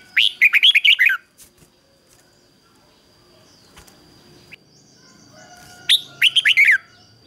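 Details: Decoy red-whiskered bulbul calling wild bulbuls with its 'ché' song: a rollicking phrase of quick, bouncing notes at the start, a quiet stretch, then a second similar phrase near the end, with a thin steady whine throughout.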